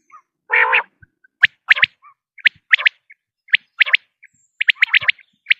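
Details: Common quail sounds for luring quail on a hunt: one low buzzy harmonic growl opens, followed by regularly repeated sharp, high, clipped double and triple notes.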